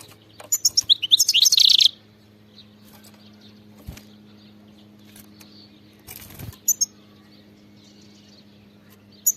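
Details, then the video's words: Wild European goldfinch singing in the bitbita style: a quick burst of high, tinkling twitters and buzzy notes lasting about a second and a half, followed by a few scattered soft chips in a quiet background. "singing carduelis"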